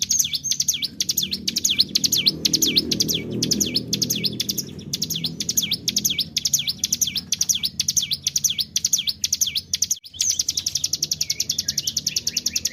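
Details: Hill prinia (cigun) singing the lively 'tarikan bren' style, used as a lure to get other birds singing: high, sharp V-shaped whistled notes repeated steadily about twice a second, with a faint low murmur underneath.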